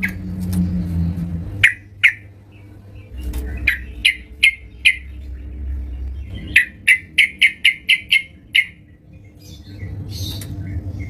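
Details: Yellow-vented bulbul singing energetically at home: scattered sharp chirps build into a fast, evenly paced series of about eight bright staccato notes, with a low hum and faint rumbling underneath.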